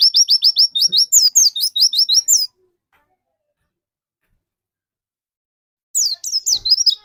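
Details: White-eye lure song, Indonesian keeper's recording meant to trigger a rival bird to sing. A fast burst of high, thin, slurred chirps lasts over two seconds, then three seconds of silence, then another quick twittering run.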